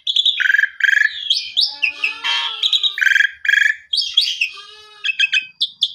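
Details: Master song of the Asian pied starling for tutoring canaries: mellow low whistles and buzzy rattles mixed with bursts of chatter, a run of rapid clicks, then clipped high chips at the close.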